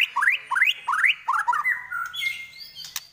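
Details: White-rumped shama (murai batu) song: four quick rising whistled slurs about every half second, then a longer flat whistle and a few sharp clicks.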